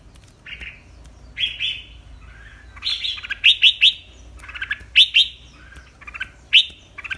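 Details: Breeding red-whiskered bulbul (Pycnonotus jocosus) in competitive song, bright, bubbly whistled phrases of short chirpy notes in quick clusters every second or two, with faint background hum.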